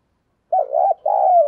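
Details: Decoy spotted dove luring wild doves with a single short phrase: a warbling, hollow double coo followed by a longer, steady coo that sinks slightly at the end. No other sounds.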